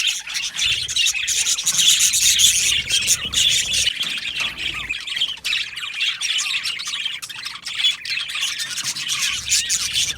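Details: Colony of Australian budgerigars in an aviary, dense overlapping chatter of high chirps, warbles and squawks from many birds at once, continuous with no pauses, sharp tweets popping out of the steady flock noise.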